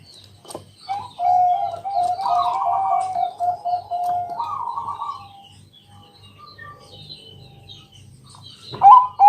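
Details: Bangkok zebra dove cooing at night to entice other doves to sing: a rolling coo phrase of about four seconds, then a lull filled by distant bird chirps over a low pulsing hum, and a sharp note at the end.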